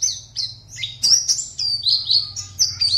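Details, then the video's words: Caged Oriental white-eye from Pontianak in a singing competition: a short run of high, sustained chirped whistles sliding downward, closely linked. "LOMBA PLECI ONLINE 52 - Aksi Pleci"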